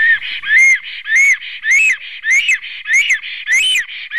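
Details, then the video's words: Black stork, Ciconia nigra, calling at the nest at 9:22 in the morning on 6 May 2019: a steady series of wheezy, rising whistled notes with buzzy overtones, repeated about every half second. "Melnais stārķis ~ Kaupo sings"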